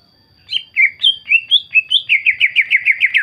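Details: Greater green leafbird in full song, played to draw other green leafbirds into singing back: varied whistled phrases rising and falling, then a fast rolling series of about ten quick descending notes.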